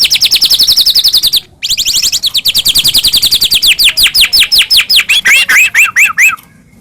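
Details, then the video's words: Medan white-rumped shama in full, phrase-packed song, played as a lure to make other shamas sing and get agitated; long runs of rapid, evenly repeated sharp chipping notes, about two or three per second, ending in buzzier slurred notes. "murai batu gacor AMPUH buat PANCINGAN murai batu agar bunyi JADIKAN burung murai gacor EMOSI"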